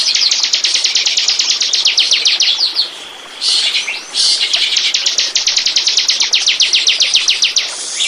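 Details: Bar-winged prinia used as a lure to draw in birds: long runs of fast, evenly repeated high ticking notes, briefly interrupted midway by a harsher burst, then the rapid ticking trill resumes to the end.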